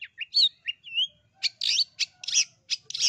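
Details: Long-tailed shrike from East Java, loud singer used to trigger other birds' song: a few slurred whistled notes, then harsh, buzzy chattering bursts.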